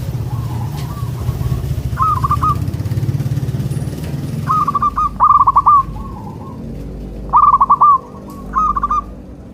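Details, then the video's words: Local zebra dove cooing, meant to make nearby doves respond: bursts of rapid stuttering notes ending in softer trailing coos, with a low rumbling hum early on that fades away. "Sudah di buktikan dengan suara ini, burung perkutut lokal langsung nyaut jadi rame"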